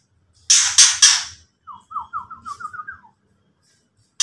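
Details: White-rumped shama ketrekan: three harsh rasping bursts, then a fast series of about nine short descending whistled notes, ending with a brief rasp.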